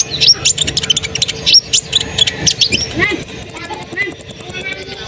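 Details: Asian pied starling singing vigorously to prompt other birds to sing: harsh chattering clicks and squeaks at first, then a fast steady series of very high ticking notes with small whistles below.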